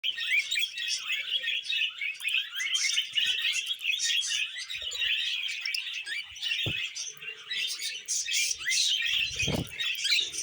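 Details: Several caged budgerigars warble while eating vegetables: a dense, continuous chatter of quick chirps, squeaks and buzzy trills mixed with a few soft clicks and knocks.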